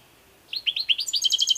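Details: European goldfinch song: after a short quiet start, a run of rapid rising chirps leads into a fast, bright, buzzy trill of evenly repeated high notes, clean with no other sounds.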